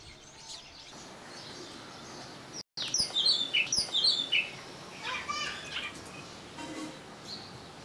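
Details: Oriental magpie-robin in India: after a quiet start and a brief dropout, a quick run of sharp, high whistled notes, about two to three per second for roughly a second and a half, followed by softer, scattered trills.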